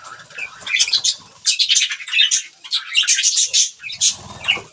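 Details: Budgies feeding on green food, giving near-continuous high chattering chirps and squeaky notes that rise and fall in quick bursts, with faint low rustling underneath.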